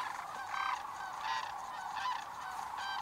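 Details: Sandhill crane flock on migration at a Pacific flyway refuge in Oregon or Washington: many rolling, trumpet-like rattles overlapping in pulses about every second.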